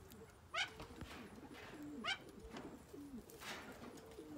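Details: Captive young Malayan great argus pair, newly added to a collection; two abrupt, bright, downward-sweeping call notes about one and a half seconds apart, amid soft low cooing and indoor background noise.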